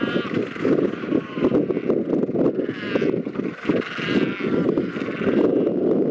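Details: A Royal penguin colony recorded on Macquarie Island in the sub-Antarctic. Bleating, braying calls come in quick throbbing pulses, with wavering higher cries overlapping across a noisy chorus.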